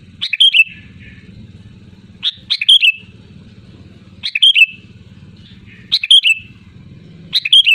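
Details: Loud, lively sooty-headed bulbul song, four or five bubbly whistled phrases of quick jumbled notes, delivered about every two seconds over a constant low droning hum.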